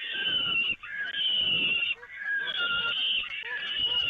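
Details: At the Evoluon peregrine falcon nest, 13 May 2018, feeding on the grating brings three long, harsh wails of just over a second each, with faint soft lower notes between them.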